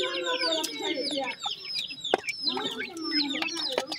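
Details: Grey francolin (teetar) chicks with a new pair, uttering sweeping down-slurred peeps and warbling lower notes in a continuous overlapping chatter, with a few sharp clicks.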